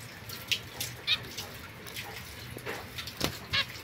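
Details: Young zebra finch pair, female white and male mosaic-coloured, isolated from other birds, 22 September 2024; several short nasal honk-like calls in quick succession, with a faint steady hiss beneath.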